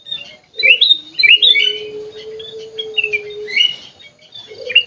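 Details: In an aviary, a sooty-headed bulbul sings brisk fluty notes that jump up and down in pitch, heard over a continuous low steady hum.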